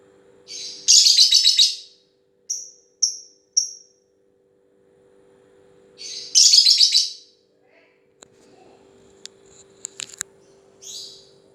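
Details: Lovebird delivering long 'ngetik' chatter: two dense, buzzy, high bursts about a second long, three short clear whistled notes between them, then scattered faint ticks, over a low steady hum.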